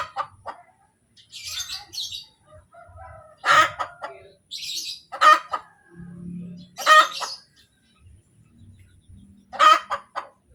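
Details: Domestic hen cackling after laying an egg: loud harsh broadband squawks every few seconds, each led by short clucks, with quieter chirps and faint low rustling between calls.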